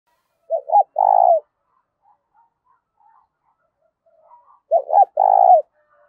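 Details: Decoy spotted dove cooing to lure and excite wild doves: two phrases about four seconds apart, each a pair of quick low notes then a longer, throbbing, burry coo, with faint soft sounds between.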